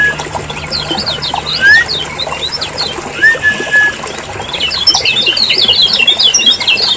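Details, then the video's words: Lemon-bellied white-eyes from Lombok, a lure for prompting birds to sing: a cluster of fast twittering chirps, a pause with short whistles, then a dense closing burst of excited high notes. "PANCINGAN PIKAT SUARA KECIAL KUNING RIBUT"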